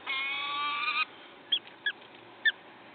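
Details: At a Wakefield nest on 5 May 2021, 06:55, a peregrine falcon gives a harsh, buzzy one-second cry, followed by three short, sharp downslurred chips.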